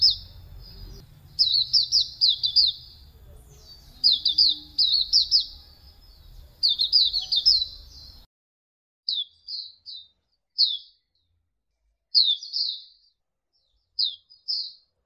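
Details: Javan white-eye song for training other songbirds: bursts of high, sweet falling chirps, first over a low background hum, then clean and sparser with gaps of a second or two between phrases.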